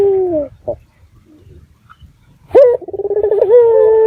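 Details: Local red-eyed dove lure call to provoke other doves into answering: a falling coo, a quiet pause, then a burst of rapid throbbing pulses that settles into a steady sustained note.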